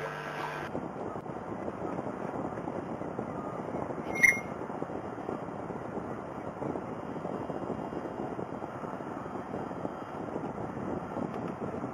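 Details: Steady broadband noise, with only a single faint, brief blip and no animal voice.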